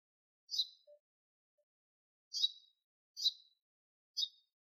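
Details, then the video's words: A sparrow sings, giving four short, bright, high chirps at uneven intervals over about five seconds, with a faint low tap early on and silence otherwise. "Sparrow sings : さえずる雀"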